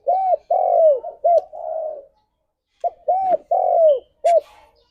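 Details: Spotted dove (tekukur), apparently a male, cooing in the morning: two phrases of deep, hollow, arched coos, four notes each with the last drawn out, separated by a brief pause.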